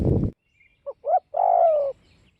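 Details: Spotted dove from northwestern Vietnam cooing: two short soft notes followed by a longer, drawn-out mellow coo that slides slightly downward, after a brief burst of rustling noise at the start.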